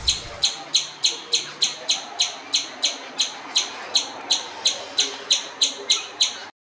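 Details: Common babbler, known as seven sisters, repeating strident clipped notes about three times a second in an even run that stops abruptly near the end.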